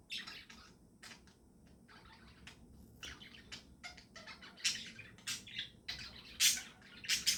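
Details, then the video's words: Pet budgerigars chirping in the morning: scattered short bright chirps and squeaky notes, sparse at first, then denser and louder toward the end, with a low room hum beneath. "Good Morning Chirping Sounds"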